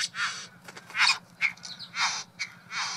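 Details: Displaying male Satin Bowerbird at his decorated bower, trying to win a visiting female: loud grating, crackling bursts about every half second, with brief tonal squeaks tucked between them.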